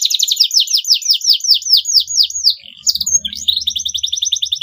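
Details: Singing canary used as a lure to teach young birds to sing; fast rolling trills of repeated downslurred notes, then a brief pause and a thinner, higher rapid trill.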